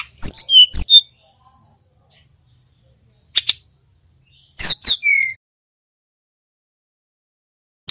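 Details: A male brown-chested jungle flycatcher learning to sing gives high, thin whistles that slide downward, in short bursts of two to four notes separated by pauses.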